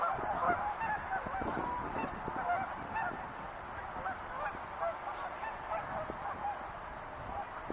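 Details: Wild geese calling together from some distance, a softer continuous chorus of honks and yelps that fades slightly toward the end.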